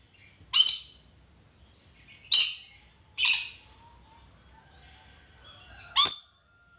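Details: Red lory screeching repeatedly, four loud harsh grating shrieks roughly one to two seconds apart, each short and abrupt with a rasping upper tone, recorded indoors with little background noise.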